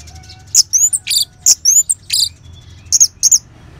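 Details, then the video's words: A captive orange-headed thrush in Bali sings a quick run of sharp, high chips and slurred whistles in short bursts over a faint hum, a recording used as a lure to get the bird singing. "Suara Ngeban Untuk Pancingan ANIS MERAH"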